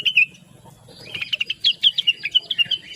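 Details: Blue-winged leafbird with a lively, sweet voice, recorded to prompt other birds to sing. Two clear chirps lead into a quick, even string of high warbled notes, about four per second.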